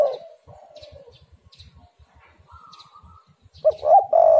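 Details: Spotted dove in a lure recording to draw other doves: a brief low coo at the start, then quiet thin whistles and soft ticking, before a stuttering, loud, throaty coo phrase builds at the end.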